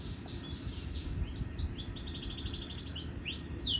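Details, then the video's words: Canary singing again after its molt: rapid trills of repeated high rising notes, fast even pulses in the middle, then sweeping upslurred whistles, continuous and bright over a low background hum. "Setelah ganti baju mulai bunyi lagi"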